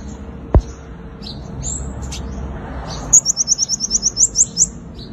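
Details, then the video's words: Olive-backed sunbird fighting song, used as a lure to catch wild birds: a few high thin notes, then a fast series of about a dozen sharp, bright chirps at a very high pitch, with a click and low background hum. "Tiếng chim hút mật 5 màu dùng đi mồi đánh bổi - Tiếng chim hút mật 5 màu hót đấu"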